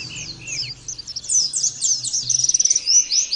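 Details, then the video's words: Oriental white-eye song in training audio for prompting birds to sing: a brief, busy run of very high twittering and slurred whistled notes, ending in a fast series of repeated chirps. "terapi pleci bikin nembak mudah di tiru langsung ngotot bunyi"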